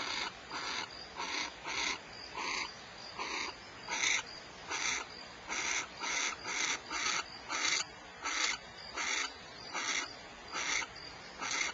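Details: Barn owl at Starr Ranch, California, giving short, harsh, hissing bursts at a steady pace of about one per second over a faint background hiss.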